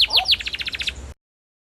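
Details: Canary singing: three bright downward-sweeping whistled notes, then a quick even trill of about eight repeated notes, the phrase cut off abruptly after just over one second.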